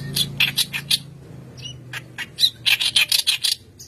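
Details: White-browed kerak basi song for training other birds. A quick run of raspy, squawky notes, a short lull with a faint chirp, then another rapid chattering burst over a low hum.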